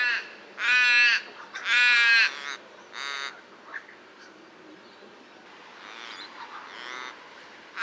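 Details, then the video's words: Common raven: two loud, raucous caws about a second apart, followed by a shorter, softer one and quieter distant calls, over a faint background hiss. "Raven Sound | Mysterious Calls of One of Nature’s Smartest Birds"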